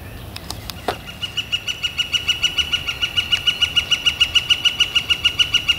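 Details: Northern flicker calling on a warm, clear spring day, 28 April 2014: a long, steady run of loud, even, ringing notes, about three per second, after a few scattered sharp taps at the start.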